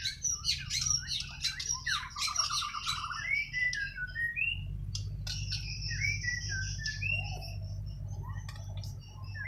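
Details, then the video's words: Kalimantan white-rumped shama singing naturally, a burst of sharp high chattering notes and rapid trills, then pauses broken by brief whistled slurs and scattered clicks, with a low rumbling hum in the background. "Kicau Burung Murai Borneo island"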